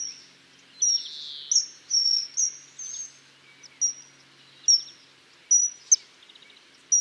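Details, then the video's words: Common kingfisher (Alcedo atthis) giving thin, very high, piercing whistles, short and sharp, repeated irregularly about once a second, with a few softer buzzy notes in between. "O canto do Guarda-rios"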